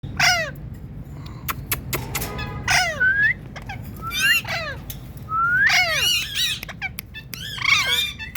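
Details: Indian ringneck parakeet talking: harmonic, chattering notes and bright whistled sweeps, some rising and some falling, come in short bursts separated by pauses, with a low steady hum beneath.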